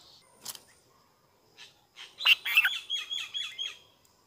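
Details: Bulbul parent feeding newborn chicks: a burst of thin, rapid, high chirps, repeated several times a second and fading at the end, after a few soft scattered notes.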